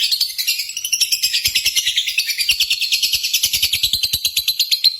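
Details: Lovebird competition singing to trigger pet lovebirds: an unbroken, rapid, pulsing shrill chatter, its high notes wavering up and down throughout the five seconds.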